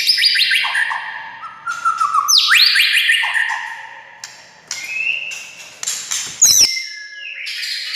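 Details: White-rumped shama song used to provoke other shamas into singing: rich whistled phrases sliding downward from high to mid pitch, varied clear notes and sharp upper flourishes, strongly repeated.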